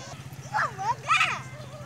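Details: Gull at Hanagae Beach giving two harsh, wavering mewing cries that rise and fall in pitch, the second louder, over a steady low engine-like hum.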